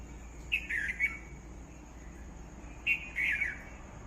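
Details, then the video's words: Two quick high chirping phrases from a bird, each a clipped tweet followed by a brief slurred trill, separated by roughly two seconds of quiet background hum. "Bird makes beautiful sounds"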